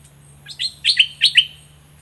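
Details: Olive-winged bulbul used as a decoy bird in a southern Thai bird-luring contest gives one quick, bubbly phrase of five liquid, slurred whistles in about a second, over a steady low hum.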